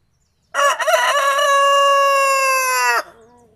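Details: A white rooster, puffing out his chest, gives one loud crow: a few broken opening notes, then a long, strained, steady note held for about two seconds before dropping away.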